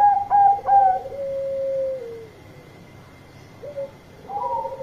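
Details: Bangkok-type zebra dove singing loudly to call companions: quick pulsed cooing notes open, then a long low purring trill that slides down and fades, followed by a pause and a new burst of trilled coos, over a steady faint whine.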